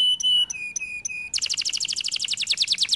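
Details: Canary song opening with pure flat whistled notes repeated several times, then breaking into a rapid, bubbling high trill.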